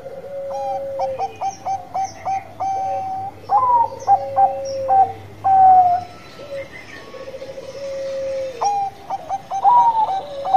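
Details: Bangkok-type zebra dove singing actively, repeated stuttering coo notes, downward-sliding drawn-out coos, and two loud rippling phrases, with a second dove cooing in the background throughout.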